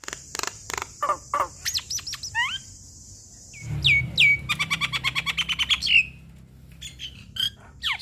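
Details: Black-winged starling with a full, varied song for tutoring young forest birds: clicks under a thin high whistle, falling whistled slurs, a rapid ringing chip series and a last looping whistle.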